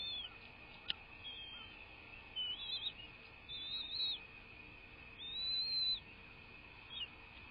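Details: American bald eagle at a live nest cam, recorded 01.03.2024 at 06:39; a series of thin, high whistled notes, some drawn out and slightly arched, others short, over a steady high electrical whine and faint background hiss.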